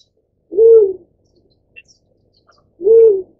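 Black-chinned Fruit Dove giving two low, soft hooting notes, each about half a second long and spaced a little over two seconds apart, in near silence.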